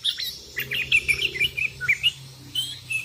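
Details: Sooty-headed bulbul, a busy caller challenging rivals while wild birds join in: a quick string of short liquid chirps, closely spaced, with softer whistles after a short pause.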